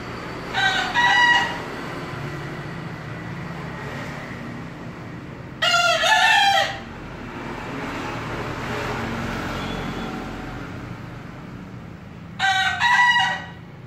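A bekisar rooster gives three short, hoarse, high-pitched crows, each about a second long and spaced several seconds apart.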